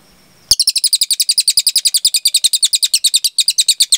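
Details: Cililin tutor song for training other birds: a long, fast trill of high, sharp chirps repeated about eight times per second, running without break for three seconds after a brief lead-in.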